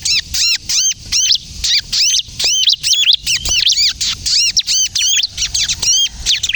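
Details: Bar-winged prinia singing energetically in kejepit style, recorded for luring and to prompt other prinias to sing: steady chain of bright, high arched chirps in short rhythmic bursts, repeated roughly twice a second throughout.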